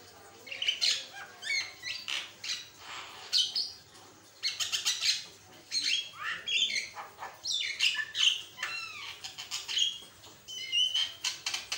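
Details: Javan myna (Acridotheres javanicus), song.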